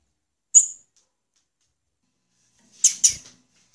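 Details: Female blue-black grassquit: one crisp, high chip, then after two seconds a quick pair of similar notes.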